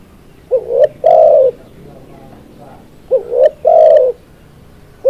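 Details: Tekukur or spotted dove song in two repeated phrases, each a brief rising coo, a second coo and a longer sustained note, the pattern recurring about every two and a half seconds.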